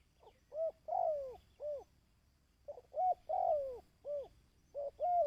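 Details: Dove cooing for decoy-bird training, 2024: repeated phrases of brief arched hoots and a longer coo falling at the end, a pause between groups, a faint hiss behind.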